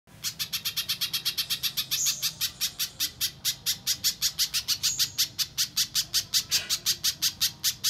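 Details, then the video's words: Little spiderhunter lure recording, used to prompt untrained captive spiderhunters to sing: a long run of sharp, high chipping notes, about three per second, steady and unbroken across the clip. "Suara Pikat Burung Pijantung Pisang Durasi Panjang, Pijantung Bahan Langsung Bunyi"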